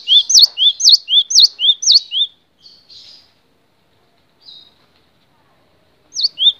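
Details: Cinereous tit (gelatik batu) in a long training recording for songbirds, repeating a crisp two-note phrase of a high dipping whistle and a lower rising note about eight times quickly, pausing with faint notes, then starting the phrase again.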